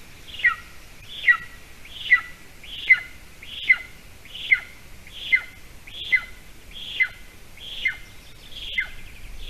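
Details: At a golden eagle nest in Latvia, 8:46 a.m. on 28 June 2020, when prey is scarce and a small mouse arrives for breakfast: a steady series of piercing down-slurred whistles, about one every 0.8 seconds, in a quiet background.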